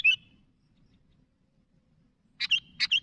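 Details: Sooty-headed bulbul calling out to its companions, giving one brief bright note, then after a pause a quick pair of chirpy, gurgling notes joined by a short whistle.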